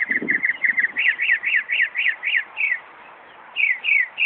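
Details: A Northern Mockingbird at Buckland Park, Brighton, New York, mimics a car alarm and perhaps nearby ambulance sounds: a rapid series of up-and-down whistled sweeps, about four per second, then a pause before it resumes.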